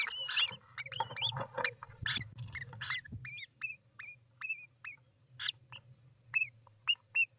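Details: European roller nest, 29 June 2024: an opening jumble of harsh chattering calls gives way to a steady series of short arched whistled notes, each rising then falling, about one per half second, over a low hum.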